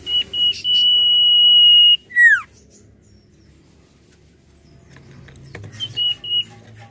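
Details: Common iora (cipoh) giving a long, steady high whistle held for about two seconds, then a quick falling slur, with a shorter whistle after a pause; recording presented as a lure to make birds sing.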